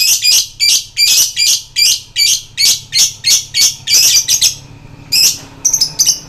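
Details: Harsh 'koek' calls of a lovebird, used to stir other lovebirds into excited trilling. About thirteen grating shrieks run quickly, roughly three a second, then break off before a short final burst.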